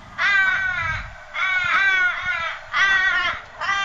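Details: Australian Raven in Canberra, the slightly bigger of the area's two raven species, its calls longer in tone than the Little Raven's: three long, drawn-out, harsh wailing caws, each about a second long, spaced roughly every one and a half seconds.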